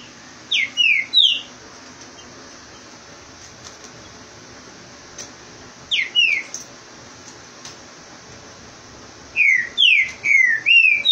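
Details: Green-winged saltator in Rio de Janeiro, Brazil, singing fast to drive off another bird: short bursts of loud, clear, slurred whistles, three phrases over eleven seconds, the last a quick run of five notes.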